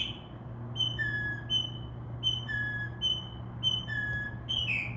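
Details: Mockingbird at night outside a window, mimicking other sounds: a run of short whistled notes switching between a higher and a lower pitch, somewhat irregular, with a faint steady hum.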